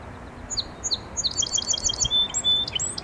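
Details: Song sparrow singing: three or four clear, high introductory notes, followed by a quick, rattling trill of repeated high notes. The song ends in a few lower buzzy and whistled phrases over steady background hiss.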